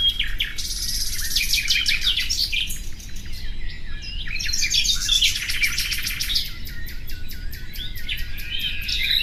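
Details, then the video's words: Nightingale song with bursts of rapid rattling trills and clipped, repeated high notes, with a brief softer gap mid-way before the fast phrases resume, over a low steady background hum. "Bülbül sesi"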